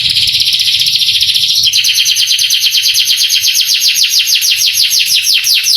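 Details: Canary training song for rousing young canaries: a buzzy high rolling trill that switches to a clearer series of downward-swept notes, roughly three per second, continuing to the end.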